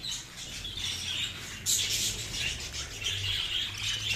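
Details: Budgerigars in a colony breeding setup, giving dense, overlapping high chirps and warbled chatter with a brief louder burst in the middle; a steady low hum runs underneath.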